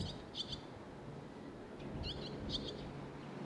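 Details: Barn swallow young waiting for food, Sendai, June 2021: a few short bursts of high twittering chirps, separated by quiet gaps, over steady low environmental hum.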